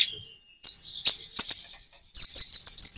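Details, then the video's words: Common iora song with natural pauses for coaxing silent birds: a few sharp high chips, then a fast series of clear, repeated whistled notes at the end. "Kicau burung konin jeda natural untuk pancingan"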